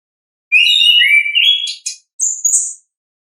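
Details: Orange-headed thrush singing in its natural voice in a loud, clear phrase: rich warbled notes sliding downward, then rapid buzzy elements and a high whistled ending.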